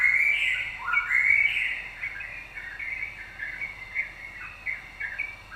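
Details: Yellow-vented bulbul song for provoking other birds to sing, opening with loud rising whistled slurs, then settling into softer, quickly repeated chattering notes, roughly three per second.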